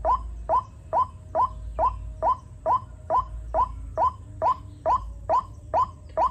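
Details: Many chicks about in the rainy season as a white-breasted waterhen gives a long run of about fourteen short, rising, slightly nasal notes at a steady rhythm, with low hum underneath.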